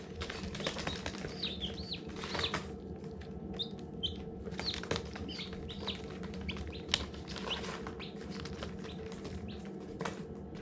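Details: Hatching chicks chirp in irregular bursts of high, falling peeps, some paired or tripled, with scattered knocks and scratches and a steady low hum underneath.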